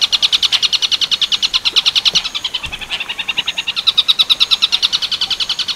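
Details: Long-tailed shrike in the tengkek buto werkudoro style, a training recording for other birds: rapid harsh repeated notes about three per second, pulsing steadily with slight shifts in pitch and brief breaks.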